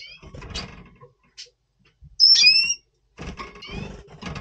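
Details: Double Pastell red siskin in breeding mood, November 2023, before breeding: one loud, clear, slightly rising whistled note in mid-clip, surrounded by scraping and rustling noises with faint high notes.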